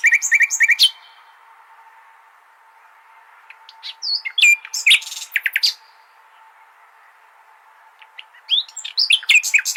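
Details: Common nightingale song used to teach goldfinches: bursts of rapid high chirps and buzzy notes in three phrases, at the start, near the middle and at the end, separated by quiet gaps, over a steady faint hum.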